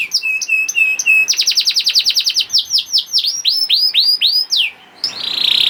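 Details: Young canary singing to coax other canaries into song: a flat whistled tone repeated, then a rapid trill, then slower curved whistles, ending in a buzzy rattle.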